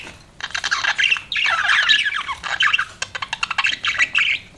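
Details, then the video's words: Pet budgie parrot chattering continuously, a dense scratchy warble with quick clicks and squawky chirps, ending in a run of rapid clipped ticks and a last bright chirp. "CUTE BUDGIE PARROT"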